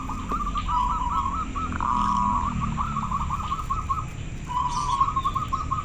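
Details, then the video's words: Very clear local zebra dove whose call draws replies from others: a rapid rippling series of short coos, a brief gap, then another quick run of notes, with low hum beneath. "Suara perkutut lokal sangat jernih - suara istimewa bikin semua nyaut"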